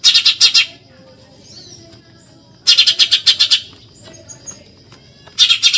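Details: Rapid harsh chattering from a Eurasian tree sparrow, a 'tembakan nyerecet' masteran: three bursts of fast buzzy chirps separated by roughly two-second gaps, with a faint steady high whistle-like tone running underneath.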